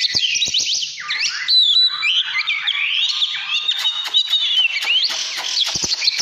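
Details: Oriental magpie-robin in 'căn lửa' mood, 2017, delivering a winding sequence of whistles that dip lower and then climb again, with scattered sharp clicks throughout.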